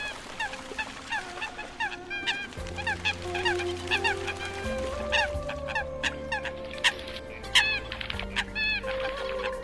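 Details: Eurasian coots give a flock call, used to call the flock together: many short, sharp, overlapping calls in quick succession, with steady low droning tones underneath.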